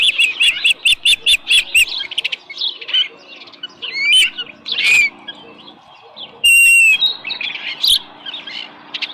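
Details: Osprey nest at Dunrovin Ranch, morning of 13 July 2018, small live fish present; a quick series of piping chirps, then scattered thin whistles and a brief harsh noise burst.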